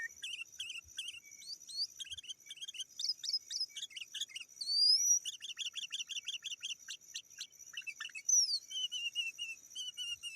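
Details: Sooty-headed bulbul calling to challenge rivals, suited to luring wild birds: busy chattering chirps, a sharp rising whistle, then a fast even series of repeated notes and a falling whistle.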